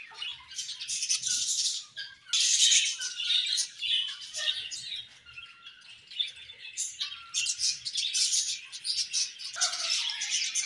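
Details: Many budgerigars in a colony chattering, dense high chirps and scratchy warbles in long bursts separated by brief quieter gaps.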